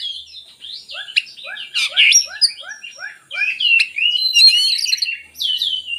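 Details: Oriental magpie-robin singing, meant to prompt reluctant magpie-robins to sing: a series of soft, repeated lower slurred notes beneath bright whistles and scratchy chirps, building into a busy, warbling phrase.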